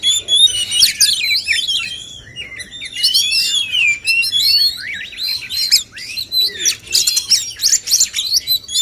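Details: Male oriental magpie-robins competing in song to stimulate more singing; bright sweeping whistles and rapid twittering in bursts, with a short pause around the second mark.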